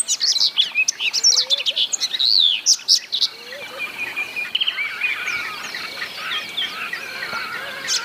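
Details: Yellow canary (Crithagra flaviventris), a resident species, singing a fast, bright warble of high twittering notes and trills, strongest in the first three seconds, with softer chatter continuing behind.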